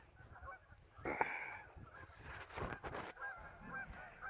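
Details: River geese in the afternoon honking loudly, a strong nasal honk near the start followed by broken overlapping calls and some thumping, splashing-like noise, with quieter honks continuing to the end.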